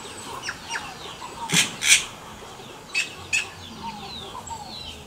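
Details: Song of a wild yellow-rumped cacique: scattered soft whistled slurs and clicks, broken by paired loud harsh rasping bursts, then more bubbling, gurgling notes.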